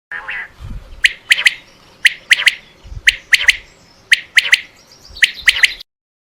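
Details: Common quail call used as a hunting lure: sharp three-note phrases, each a quick triple of bright clicking notes, repeated about once a second, over faint low rumbling background noise.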